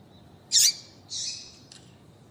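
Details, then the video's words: Female double-collared seedeater call used to stimulate males to sing: two high, harsh calls, a sharp burst then a longer buzzy note, ending in a faint trace against a quiet background. "Piado de Fêmea de Coleiro para Foguear Coleiro tui tui Com Fêmea de Coleiro Chamando"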